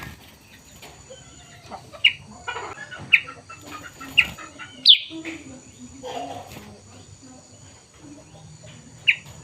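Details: Morning chirping of a sooty-headed bulbul, black and yellow: a run of short, sharp notes about once a second, one louder and higher, over faint background chatter and rustling.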